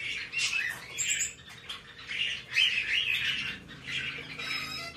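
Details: Hand-tame male white-bellied caique chick, Fukuoka, Japan, 17 May 2024: harsh, raspy squawks in near-continuous bursts, with a brief thin whistle early on; a faint low hum underneath.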